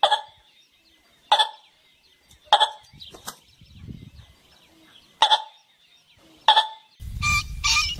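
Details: A golden pheasant calling for a mate gives five sharp, harsh, metallic calls, about one every second or so with a pause in the middle; a burst of rustling noise closes the recording.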